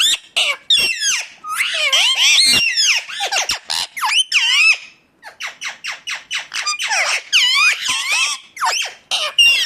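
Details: Ringneck parakeet call sequence: a dense run of shrill, wavering screeches and chattering notes, then a brief pause followed by rapid clipped squawks, all high and bright.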